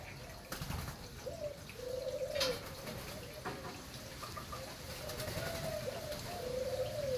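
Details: Spotted dove, a Malaysian-type breeding bird, cooing softly in drawn-out, slightly rising and falling phrases against noisy background rustle and clicks.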